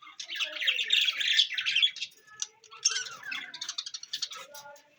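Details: Newly acquired budgerigars, recorded indoors on June 11, 2024, chatter in a busy stream of scratchy squawks and bright chirps, with quick warbled notes running together in two bursts.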